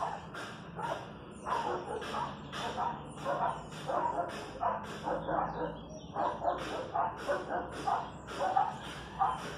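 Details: Chachalacas in the countryside calling in a dense, overlapping chorus of harsh, scratchy notes, several birds at once producing a busy grating jumble with steady background noise.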